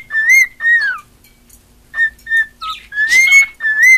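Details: Attention-loving female cockatiel kept as a pet, giving a string of short, clear whistles, each rising then falling, with a brief scratchy note and a pause midway.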